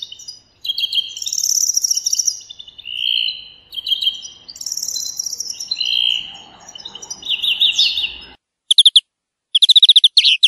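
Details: Several layered trills and buzzy rattles of European greenfinch song in nature, high and low phrases overlapping almost continuously, then a pause and short sharp chirps.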